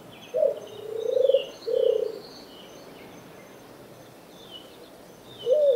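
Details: Streptopelia dove giving low, soft cooing notes: a short coo, a longer swelling coo, then another, with a pause before the phrase starts again; faint high chirps of other birds in the background.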